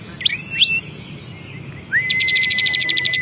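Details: Champion ciblek kristal (bar-winged prinia) in full song. Two quick rising sweeps, a pause, then a long steady whistle overlaid with a rapid rattling series of high chips.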